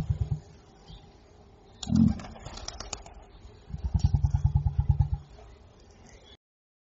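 Emu giving deep, low drumming pulses, a quick run of about a dozen thuds in under two seconds, with a brief voice-like burst in between.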